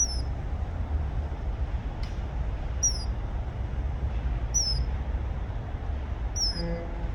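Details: Male common kingfisher calling for a mate, a thin, sharp high whistle repeated about every one and a half to two seconds over a steady low rumbling background.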